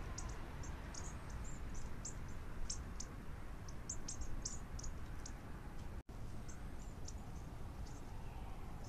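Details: A flock of Bushtits feeding on the ground gives a steady scatter of very high, thin, short chips and twitters, several per second, over a low rumble of wind or traffic.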